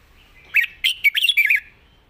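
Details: A red-whiskered bulbul singing lightly with pleasant phrasing gives one short, lively phrase of clipped, warbling notes in quick succession, ending on a faint sustained whistle.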